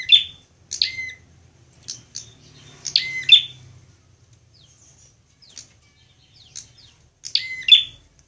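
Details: High, piercing chirps from a fighting prinia, used as a training recording for caged birds, come in separated bursts with a lower whistled tail, and faint ticking notes between them in near silence.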